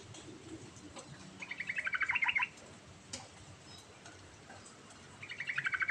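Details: Yellow-vented bulbul singing ngerol-style: a loud rapid, rattling bubbly phrase, a gap of nearly three seconds with a sharp click, then another phrase starting.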